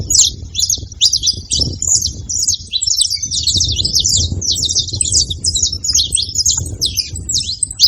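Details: Saffron finches gathered together keep up a busy, overlapping chatter of sharp high chirps and short trills for about eight seconds, over a soft low hum.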